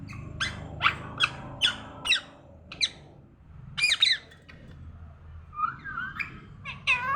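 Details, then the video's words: A talking parrot in the morning gives a quick series of sharp squawks and clicks, spaced roughly every half second, then louder harsh calls and wavering harmonic speech-like notes, over a constant low hum. "morning orijnal telking parrot"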